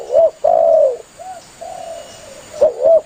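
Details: Spotted dove calling to its companions, a lure for hunters: deep, mellow coos, two short notes then a long drawn coo, a brief note, another long coo, and a closing pair of quick coos, loud and clear against a quiet background.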